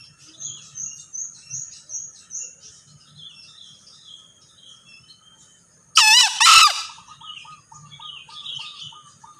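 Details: {'__no_key': 'Male green junglefowl giving one loud, hoarse two-part crow after several seconds of thin, high, repeated chirping from small birds, with faint clucking underneath.'}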